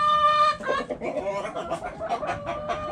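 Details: Chickens in a backyard coop, a held harmonic call giving way to rapid, choppy clucking from several hens.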